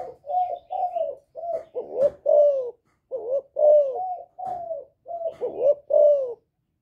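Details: Provocative calling of a spotted dove, 'giọng thổ' style, aimed at rival wild males: a dense run of about a dozen throaty, low coos in quick succession, some notes with a dipping wobble, one faint click midway.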